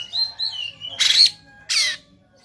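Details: Fighting Oriental magpie-robin with tail spread, Sumatran type: a wavering whistled phrase followed by two rough, explosive rasping notes in quick succession, over a faint low hum.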